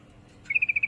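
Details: Female sooty-headed bulbul in heat calling to a male: one quick stuttering burst of about six high, even notes, clipped and bright, over a quiet background.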